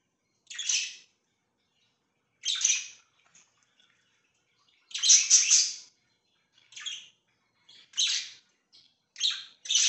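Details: Pet budgies making short harsh, buzzy chirps spaced one to two seconds apart, with one longer double burst of chatter in the middle and silence between calls.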